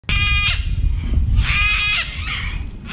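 Harsh, raspy cockatoo screeches come in overlapping bursts from an excited flock. Low rumbling background noise runs underneath.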